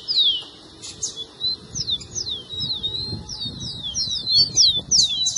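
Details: Rufous-collared sparrow song played to get a pet bird singing: clear high whistled notes, each sliding downward, come in quick overlapping runs through the whole stretch, with a faint low rumble underneath.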